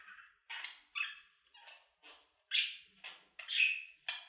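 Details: Budgerigar giving separate chirps and short squawks, about two a second, some harsher and louder than others.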